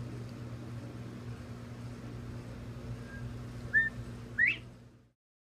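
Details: A Northern bobwhite in Missouri gives its clear two-part whistle: a short low note, then a sharply rising 'white', over a steady low rumble of distant traffic.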